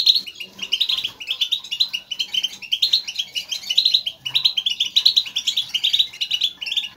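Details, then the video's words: Several European goldfinches chattering together, a motivating sound meant to make a lone caged goldfinch sing nonstop; rapid, tinkling twitters in clustered bursts with brief pauses, light hum underneath. "بتبتة نااار يا حبييبي ناااار لتهييج الحسون ستجعله يغرد من دووون انقطاع. Saka kuşu Motive etmek ses"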